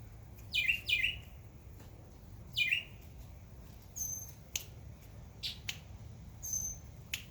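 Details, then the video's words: In a backyard during summer, a bird gives two quick sharp chirps and later one more. Very high, thin whistles and scattered clicks follow against a quiet background. "Birds Chirping Sound"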